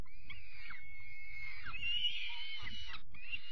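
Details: One long, strained scream from a young peregrine falcon at dinner on 5 May 2021 swells and rises a little before breaking off, then a shorter cry follows over dull thuds.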